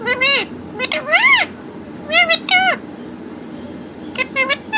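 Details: Talkative parrot says "Mithu Radhe Radhe" in fast, densely packed, high-pitched speech-like syllables with arching pitch contours, repeated in quick succession, then trailing off into softer fragments.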